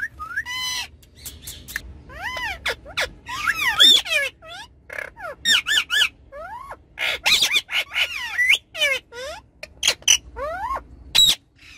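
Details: Lively ringneck parrots on a car back seat chatter with a rapid series of looping, rising-and-falling squawks over a steady low rumble.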